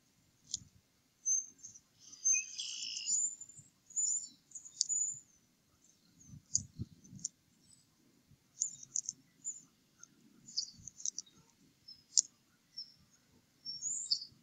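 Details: Adult eagles eating nest leftovers after feeding their eaglets on the Upper Mississippi River Refuge in early April: one shrill chittering burst early on, then sparse high squeaks among clicks and low bumps.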